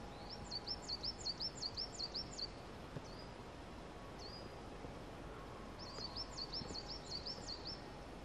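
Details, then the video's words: Birds in Thetford Forest singing as winter turns to spring: quick runs of high, sharp repeated chirps, a few isolated notes between them, then another run, over constant background rushing noise. "Listening to the birds sing in Thetford Forest."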